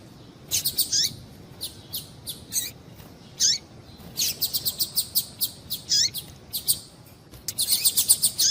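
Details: Female double-collared seedeater calling, a call used to excite males and stimulate their singing. Short, high, sharp chirps, single and in quick clusters, irregularly spaced over several seconds, with faint hiss in the background.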